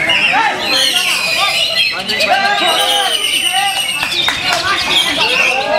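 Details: Greater green leafbirds (Chloropsis sonnerati) at a songbird singing contest pour out loud, rapid, varied whistles and chattering phrases over each other, with a man's voice talking and crowd chatter underneath.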